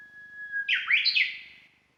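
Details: Japanese bush warbler singing in the mountains, unseen, smartphone recording on a walk: a long steady whistled note, then a loud tumbling flourish of higher slurred notes that jumps up and fades out, with little else audible.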